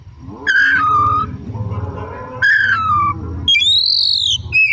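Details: Oriental magpie-robin, singing hard in the afternoon as a lure for other birds: two falling whistled phrases over a low background rumble, then a high arching whistle and a short closing note.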